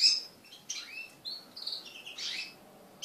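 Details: Crested canaries kept as pets, singing during mating: short whistled notes and slurs that rise and fall, ending in a noisy chirp burst and a sharp high note.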